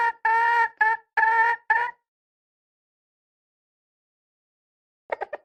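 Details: Hen of the red junglefowl uttering four loud, harsh bursts in quick succession. After a long pause, a few faint short notes follow.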